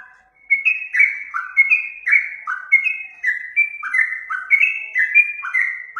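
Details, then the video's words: Trucuk bulbul in captivity sings a run of fluty, slurred whistles, alternating low and higher notes in short phrases repeated roughly every half second after a brief silent start. "burung trucuk"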